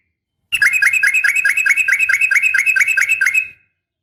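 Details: Female yellow-vented bulbul calling a male in a sharp fighting call meant to make caged bulbuls answer: a steady run of about a dozen rapid, evenly spaced chirps lasting three seconds.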